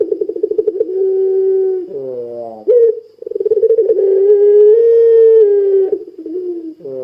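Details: Puter pelung dove calling vigorously, used as a lure to set other puter pelung doves calling: a purring, stuttered opening, then long steady low coos, with a brief wavering dip between phrases.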